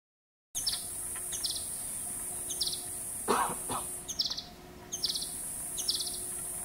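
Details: A male ultramarine flycatcher, a winter migrant in Gujarat, calls from a tree in brief, rapid bursts of high chirpy notes about once a second, over a steady shrill insect drone and a brief thump.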